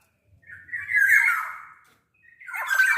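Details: Black-naped oriole in full song, meant to lure orioles into singing: one long hoarse nasal call that swells and fades, and after a gap the start of another.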